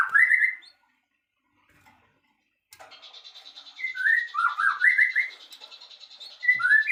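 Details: White-rumped shama song used as filler song: clear whistled phrases that slur up and down in quick bursts, with pauses between them. A steady high buzzing hum runs underneath.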